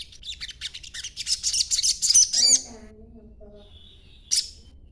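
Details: A young green-phase sogon's lure chatter for making other sogons respond: a long stream of fast, high, squeaky twittering notes, a faint low droning tone afterward, then one thin whistle and a final sharp chirp.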